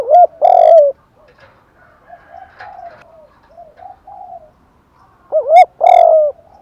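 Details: Spotted dove calls from a male and female, recorded to stir birds in thúc, gù and gáy gọi styles: a loud, low, drawn-out coo, several seconds of faint coos, then a loud double hoot and a long coo.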